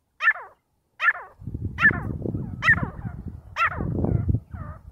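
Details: Partridges in a fight give five loud, harsh, ringing calls, one about every second, over low rustling and scuffling noise.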